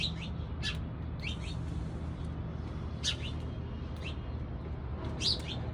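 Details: Sparrows in the morning give scattered, brief bright chirps every second or so, some in quick pairs, over a steady low hum.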